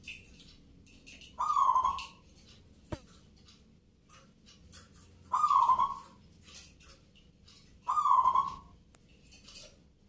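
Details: Contest zebra dove, a local perkutut judged for Nglagu Ngepat Mentaraman rhythm in Yogyakarta: three soft, bubbling coo phrases, each under a second, repeated roughly every three seconds over quiet background.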